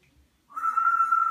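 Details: African grey parrot kept as a pet, whistling a single sustained, even-pitched tone that starts abruptly after a short quiet pause and carries on to the end, with faint low background hum.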